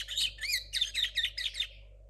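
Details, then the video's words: Short phrase from a young linnet hybrid of 2022, still refining its song: about seven quick, buzzy chirped notes, a couple sliding upward like whistles, delivered in a rapid, evenly spaced run before stopping. "mixto de Pardillo 2022"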